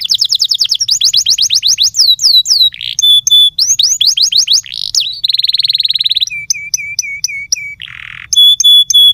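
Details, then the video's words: Canary song in a loud, fast-changing sequence: rapid rolling trills of repeated swooping notes, buzzy stuttered runs, pure piping notes repeated in quick series and a harsh rasping burst, hardly pausing throughout. "Canary birds sound"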